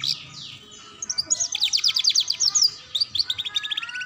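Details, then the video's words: Canary training song for young birds, a ngeriwik-style sound: a few high sweeping notes give way to fast, rapid trills of short chirps, then a second quicker trill. "Pancingan Kenari Paud Belajar Bunyi Ngeriwik"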